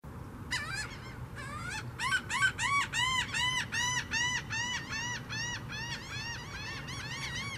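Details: Mottled ducks in a borrow pit north of 123 Ave N, Largo, Florida, bob heads in unison as a courtship prelude to mating, giving a fast run of nasal, arching quacks, about three a second, slowing and softening, over a low steady rumble.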